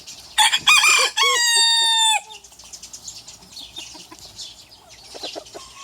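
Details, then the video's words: Rooster crowing in a challenge between a small and a big rooster: a loud, harmonic crow of about two seconds, with short rough notes at the start and a long held level ending, followed by soft clucking and scratchy background sounds. "The Rooster Troublemaker - Small Rooster vs Big Rooster - Funny Chicken Sounds"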